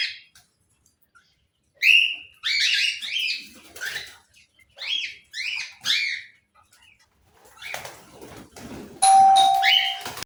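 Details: Pet cockatiel indoors in a small room, giving bursts of loud, harsh chirping calls in clusters between two and six seconds, then a sustained steady whistled tone near the end, with faint household background.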